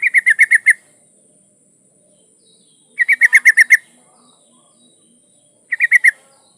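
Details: Calling to draw in a male, a female yellow-vented bulbul in breeding condition repeats bursts of six to seven quick metallic chirps; three bursts with long gaps, soft low ticking faintly audible between them.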